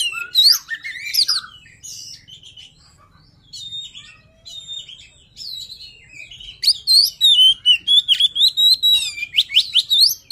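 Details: White-rumped shama luring song opening with loud whistled flourishes, fading to soft, sparse notes, then returning as a fast, loud series of sharp high chirps.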